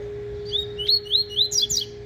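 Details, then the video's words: Double-collared seedeater in tui-tui song style, practising: a fast sequence of clear downslurred whistles, then a couple of higher, sharper notes. A steady electrical hum is heard throughout. "COLEIRO TUI TUI (FUGITIVO) AFIANDO"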